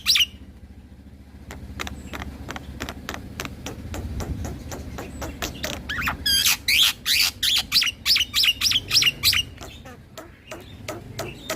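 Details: Black-winged starling in full rolling song while head-bobbing, meant to provoke other starlings: a fast run of sharp clicks builds into loud, regular, buzzy rising notes about three per second, over a low steady hum.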